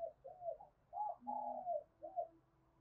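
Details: Spotted dove 'thúc bổi' cooing to stimulate others to coo: soft, fairly distant wavering coo notes in a rolling pattern, one longer sustained coo in the middle, over a steady low rumble.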